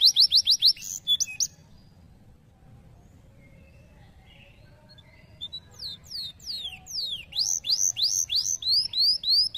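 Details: Canary song opening with a fast trilled tour, then a quiet pause of several seconds, then resuming with soft chirps building into loud repeated downward-sliding whistles at a steady quick pace.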